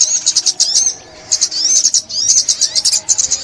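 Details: Sunbird (ốc mít) from a 2021 trapping session, two short bursts of high, rapid twittering and sliding whistled notes split by a one-second pause.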